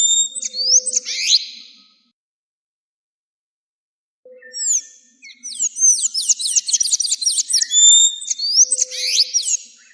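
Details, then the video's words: Song of a sayaca tanager, from Argentina, for teaching captive birds: an opening squeaky phrase, a pause of about two seconds, then a long, fast string of high twittering loops and sharp slurred notes. "AZULEJO CANTO PARA ENSEÑAR"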